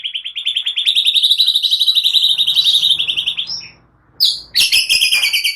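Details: White-rumped shama singing a lure song to set other birds off, said to be rich in cililin and prenjak phrases: a long string of rapid, evenly pulsed high notes, a brief break, then more fast scratchy chatter.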